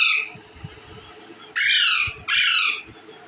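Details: Green Indian ringneck parakeet, filmed while eating bread, lets out harsh grating squawks: one fading at the start, then two loud, broad rasping calls about half a second each, close together.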